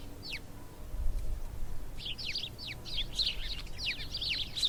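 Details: House sparrows (cusfuur) calling: a lone high chirp, then after a pause a quickening series of sharp, twittering chirps over a low rumbling background.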